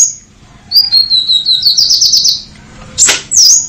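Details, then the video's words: Purple-throated sunbird singing a high, thin trill that speeds into rapid pulsing notes, then two loud, sharp slurred whistles at the end, with little background noise. "SUARA KOLIBRI NINJA GACOR FULL TEMBAKAN TAJAM"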